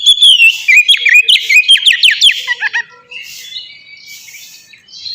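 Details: Kept oriental magpie-robin delivering a brisk burst of ngeplong song for luring other birds to sing: quick repeated whistled and chattering notes for three seconds, then fading to softer, quieter phrases.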